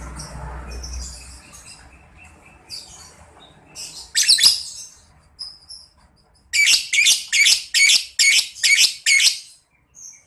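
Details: Ngekek chatter of a lovebird, used to make young lovebirds respond: soft scattered chirps at first, then a loud string of about seven evenly spaced, grating high notes.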